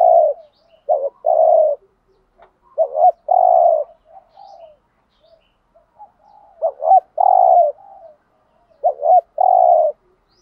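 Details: Lure spotted dove bought in Dak Lak, Vietnam, used to provoke rival males. Its steady cooing alternates short doubled notes and sustained low coos in repeated phrases over ten seconds, with soft low murmurs in the gaps.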